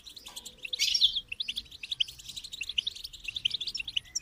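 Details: Goldfinch singing a fast, bright twittering run of high chirps and trills, opening with a louder buzzy burst, then a continuous stream of tinkling notes over a quiet low hum.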